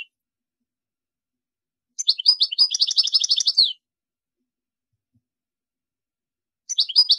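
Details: Goldfinch song in two bursts: a rapid, buzzy trilled phrase of tight repeated notes lasting nearly two seconds, then silence, then the start of another similar trill at the end.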